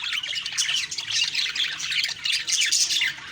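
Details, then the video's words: Budgerigars chirping in the morning: a dense, continuous chatter of many overlapping high warbles, squeaks and short rising and falling notes, with no pauses. "Beautiful morning birds chirping sounds/Budgie sounds"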